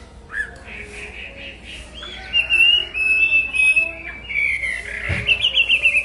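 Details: Chinese hwamei song: a few repeated mid-pitched whistles, then long, wavering whistled phrases that climb and warble, closing with quick repeated bright notes; faint low background noise.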